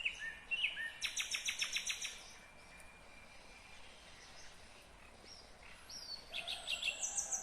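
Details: Nightingale song recorded in Kyrgyzstan in 2020: fast bursts of sharp repeated notes, a pause of several seconds with faint distant phrases, then another rapid rattling series with high whistles over steady background noise.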